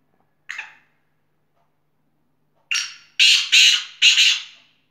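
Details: Black francolin call: a short harsh note, a pause, then a series of loud, grating, rasping notes repeated in quick succession, each fading off, in otherwise silent surroundings.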